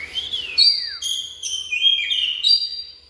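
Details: Oriental magpie-robin singing a long down-slurred whistle followed by a run of rich, steady, varied whistled notes.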